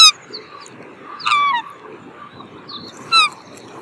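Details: Black swan sounding two short, bright, downward-sliding bugle notes over steady low background noise, with scattered high chirps from smaller birds.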